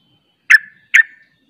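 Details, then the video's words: Sooty-headed bulbul giving 'ropel' song: two loud, sharp notes with short trailing tails, about half a second apart, in otherwise clear quiet. "Ropelanya Bikin KAGET Trucuk Lain Ikut Ropel"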